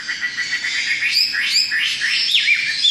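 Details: Chinese hwamei repeating quick, rising, slurred whistles several times in a row against a hissy background.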